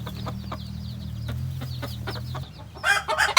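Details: A white hen in the coop, after soft chirping clucks over a low mechanical hum, breaks into loud, harsh squawking cackles to announce she has laid her egg.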